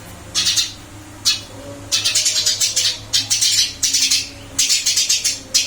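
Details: Caged Eurasian tree sparrow in a new cage, chirping energetically: a few single chips, then rapid clusters of shrill notes in bursts, with a low hum beneath.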